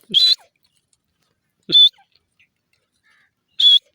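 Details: Grey francolin (dasi teetar) calling three times, about 1.8 seconds apart, in sharp, loud, high rasping bursts, each starting with a brief low note, with no other sounds.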